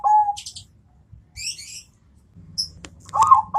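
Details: Zebra dove of Bangkok type answering a rival: a short cooing phrase opens and closes the stretch, with high chirping bursts from other birds and a clap between.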